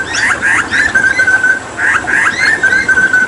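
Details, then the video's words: Hooded butcherbird, endemic to Papua and a skilled imitator of other birds, alternates scratchy chattering bursts with a long level whistle, the pattern repeated twice. "Masteran Tembakan JAGAL PAPUA gacor"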